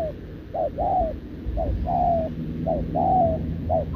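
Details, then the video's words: Wild-caught caged spotted dove cooing back at a decoy, recorded 6 November 2024: repeated mellow two-part coos, a brief lower note then a longer slightly falling one, over a rumbling low background. "Bổi đồng chân lùn | Bo mình chắc đẹp | gù liền với mồi Đồng TT"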